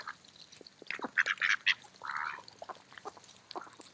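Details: Autumn park scene of feeding mallard ducks: a cluster of sharp quacks is followed by a longer, drawn-out nasal call, then scattered quiet notes.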